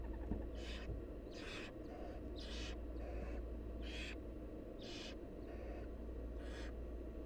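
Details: Several hoarse hissing screeches from wild barn owl nestlings begging while the mother feeds them, coming nearly every second, some overlapping, above a continuous low droning background.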